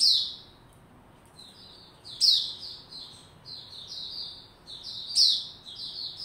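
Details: White-rumped shama, a kept songbird, warming up its song while building form, recorded 27 December 2021; short clear whistled phrases, each opened by a sharp high note, come in bursts every few seconds over a quiet background.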